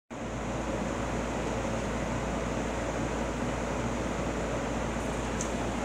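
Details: A constant broadband hum like a fan or engine runs throughout, with no animal sounds.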